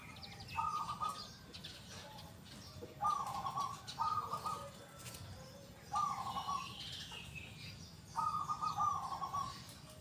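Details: A local zebra dove in song, with the loud, clear, big 'kung' voice. It gives five trilled, burbling coos spaced unevenly over ten seconds. Soft twitters of other birds and light ambient noise fill the gaps.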